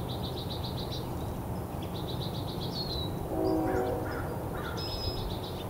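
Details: Green-tailed Towhee, moving too much to photograph in poor light, giving quick runs of high, thin notes and a sharp downslurred note, over steady low rumbling, with a brief low nasal honk midway.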